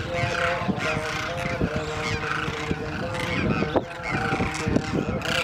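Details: Demoiselle crane (Grus virgo), flock calls.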